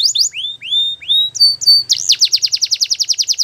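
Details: Belgian canary song used for training birds: clear sliding whistles dropping from high to mid pitch, a steady held note, then a fast, evenly pulsed trill of repeated notes.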